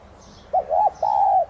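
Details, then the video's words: A single spotted dove phrase: one short low coo, a second arched coo, then a long steady drawn-out note, sung by a decoy bird meant to spur other doves into calling; faint high chirping above. "Chim cu gáy THÚC GÙ Giọng CỰC HAY kích bổi/Cu gáy mồi cây Thúc Gù kích mồi tập bổi hiệu quả"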